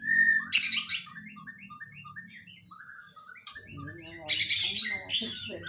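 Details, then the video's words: A white-rumped shama sings loud, rich whistled bursts around a quick run of short, repeated falling notes, with a low background hum. "murai isian kapas tembak"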